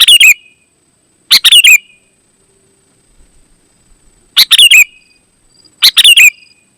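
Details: Lure song of a sooty-headed bulbul meant to draw other bulbuls: four loud, chattering phrases of quick chirpy notes ending in a ringing trill, separated by pauses of one to three seconds, with a quiet background.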